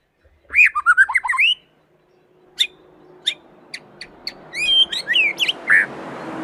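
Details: Young white-rumped shama song meant to make other birds sing: a quick run of rich looping whistles, then isolated sharp clicks and further whistled phrases over rising background hiss.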